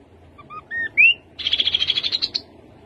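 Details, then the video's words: Song of the rufous-capped babbler: brief paired whistles and a sharp upward slur, then a rapid high trill of roughly fifteen pulses that rises slightly toward its end. "Khướu bụi đầu đỏ. tiếng khướu đầu đỏ."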